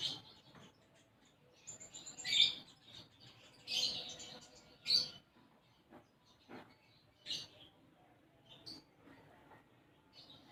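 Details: Sunbird known as konin, singing gacor with isian gereja (sparrow-phrase fill): loud, sharp high chirps and buzzy notes in irregular bursts, roughly every one to two seconds, fading to softer twitters toward the end.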